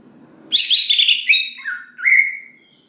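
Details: Greater green leafbird song intended to provoke rival leafbirds into singing: a loud, rasping, buzzy phrase breaks in, followed by a dropping whistle and a long, bright, slightly descending note.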